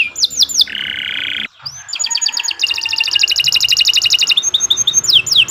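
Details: Canary of the Kenari Nusantara type singing a long, vigorous gacor song used as a master recording to train other birds: sweeping downslurred whistles, a sustained buzzy trill, then rapid repeated notes at about four per second.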